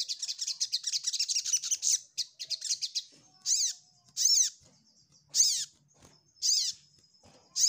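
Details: Ruby-cheeked sunbird seeking a rival: fast, high ticking chatter for about three seconds, then slower harsh buzzy notes with arched pitch strokes, repeated roughly once a second.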